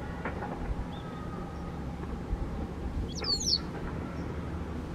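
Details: Male White wagtail holding a rooftop territory since autumn 2017, in a winter territorial dispute with a male Japanese wagtail, gives one sharp, high, two-part 'chi-chip' call over a steady low rumble of traffic.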